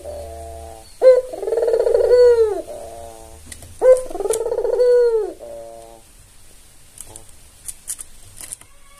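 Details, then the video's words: Tame albino Barbary dove, white with red eyes, singing as a lure call: two long purring coos about three seconds apart, each starting with a bright sharp note and sagging at the end, then quiet with faint clicks. "Pancingan suara burung puter paling populer"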